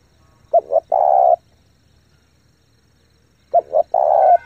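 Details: Spotted dove giving fast cooing to rouse decoys and train young birds; two three-part phrases three seconds apart, short paired notes leading into a long, steady, hollow coo.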